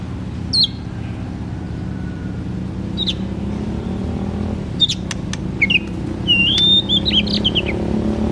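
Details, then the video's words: Oriental magpie-robin singing loudly in ngeplong style, meant to provoke reluctant magpie-robins to sing. Sparse short notes lead into a longer whistled, warbling phrase near the end, over a constant low rumble and hum. "KACER GACOR TERAPI KACER MALAS BUNYI"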